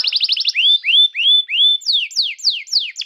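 A canary sings a rapid, high-pitched song: a fast trill, then rising, swelling whistles, then a run of quick downslurred notes.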